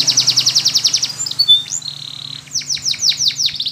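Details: Canary song used in training: a quick rattling trill of high notes, a few looping whistles, a long steady tone, then a run of falling swept notes.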